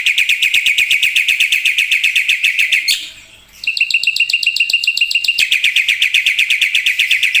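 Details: Black-winged myna in full, energetic song with filler phrases: very fast, even trains of bright, high chirps about four per second, with a brief pause partway through before the chirping resumes.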